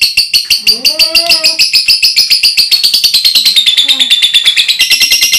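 A lovebird gives a loud, rapid, high-pitched chattering trill, with brief human voice mixed in.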